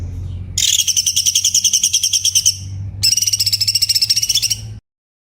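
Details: Sooty-headed bulbul training master song, dense rapid phrases with pauses: two long, high, rattling trills of fast repeated notes, each lasting about two seconds, separated by a short break, over a low steady hum.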